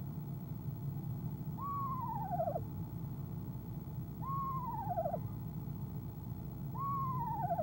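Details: Female eastern screech owl trilling in a nest box on 25 January 2015 in the evening before leaving: three wavering trills, each sliding down over about a second, repeated about every two and a half seconds, above steady low hum.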